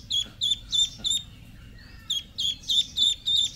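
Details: High-pitched peeps from domestic ducklings repeat about three times a second. They stop briefly for a soft, quieter sound, then the rapid peeping resumes.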